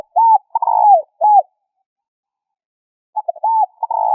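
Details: Spotted dove call played to stimulate decoy birds: a phrase of short clipped notes and a drawn, slightly buzzy coo cut off, then silence and a second phrase beginning. Otherwise quiet.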